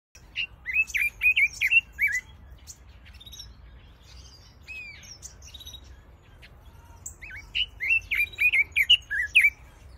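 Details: Pekin robins in an aviary singing two bursts of rapid, warbling whistled phrases, each about two seconds long, with fluid rising and falling notes and a quiet pause between them.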